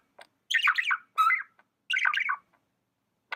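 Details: Indoor pet budgerigar producing three rich warbled chatter phrases, each about half a second long, full of quickly rising and falling notes, with a brief faint chirp before the first.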